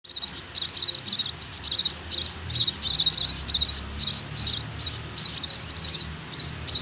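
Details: Young munia being hand-fed, begging with rapid, high, thin chittering notes repeated almost three times a second in a steady insistent run.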